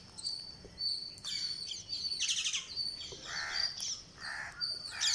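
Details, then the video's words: Green parakeet being fed on day 49 utters raspy harmonic begging calls in the second half, after bursts of loud high twittering and steady thin chirps from surrounding birds. "GreenParakeet Feeding"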